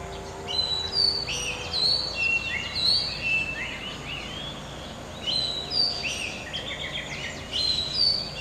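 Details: Garden-dwelling oriental magpie-robin in Malaysia singing continuously, mixing sweet high whistles, quick slurred notes and short trills in varied phrases, with a steady low background hum.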